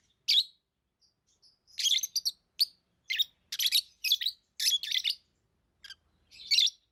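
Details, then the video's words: Lovebirds kept as pets chirp in a busy run of high, scratchy notes, some single and some in tight double or triple bursts, nearly every half second. "Love birds Sounds | lovebirds chirping sounds"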